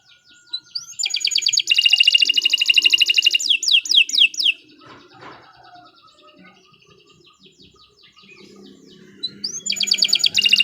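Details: Canary singing in bursts: a rising whistle leading into a dense high trill, a few descending sweeps, then a quiet gap with faint background noise before another trilled phrase starts.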